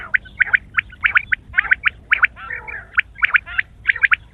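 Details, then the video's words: Quail giving a rapid series of short, harsh, chattering notes, many overlapping, with several quick bursts each second and a gurgling quality throughout. "sound of quail"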